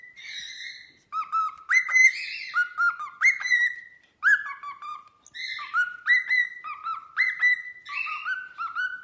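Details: Pet cockatiel singing: a lively string of whistled notes stepping up and down between low and high pitches, some short and bright, some drawn out, with short pauses between phrases.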